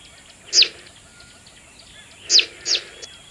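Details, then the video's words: Zitting cisticola (streaked fantail warbler) gives three sharp, high, downslurred 'zip' notes, one alone and then a quick pair, over a steady high insect hiss. "zitting cisticola call"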